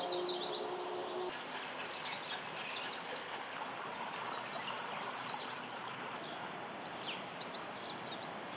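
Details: Yellow Warbler, likely a male, at Mount Auburn Cemetery, Cambridge, Massachusetts, singing bright, high, rapid loud warbles in bursts, with other birds chirping steadily in the background.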